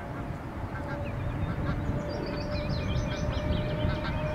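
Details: Many young Canada goose goslings, hatched in a productive breeding season, recorded up close while eating, playing or resting. Dense high, thin peeps overlap continuously, some rising and some falling, with a steady low hum underneath.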